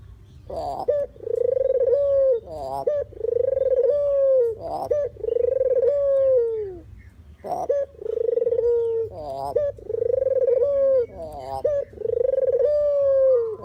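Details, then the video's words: Dove known locally as puter or deruk, a recording intended as a trapping lure; about six coos repeated every two seconds or so, each a rolling purr stretching into a sustained tone that sags at the end, with short harsh notes between. "suara asli burung puter/deruk buat isian,pikat dan pancingan"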